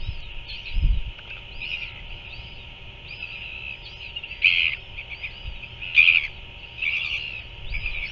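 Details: Feeding of a royal albatross chick by its parent, New Zealand, evening of 7 February 2024. Several abrupt, rasping bursts come in a loose series, with a denser cluster near the end, against continuous high twittering of other birds and low rumble.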